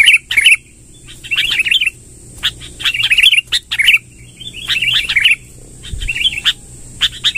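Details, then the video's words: Rolling song of a sooty-headed bulbul singing strongly, played to lure wild birds: repeated bubbly, chortling phrases of quick descending notes, each about half a second, separated by short pauses, with a thin continuous high tone throughout. "suara tembakan BURUNG KUTILANG NGEROL PANJANG"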